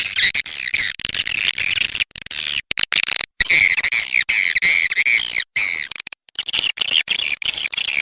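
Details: Swiftlet lure recording meant to draw swiftlets: continuous high-pitched, rasping twitters with wavering chirps, cut by brief pauses, several birds seeming to chatter together.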